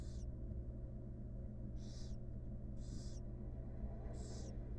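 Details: Mother barn owl grooming her young inside a wild nest box; four rasping hiss bursts roughly one second apart, each short and noisy, with a steady low hum underneath.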